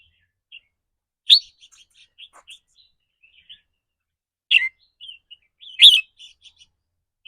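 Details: Caged red-whiskered bulbul giving 'rik rua' (rapid trill) or 'rik ble' phrases, a style said to depend on the bird's mood that day. Scattered short chirps are broken by three loud, sharp bursts with quick trailing notes. The room is otherwise quiet.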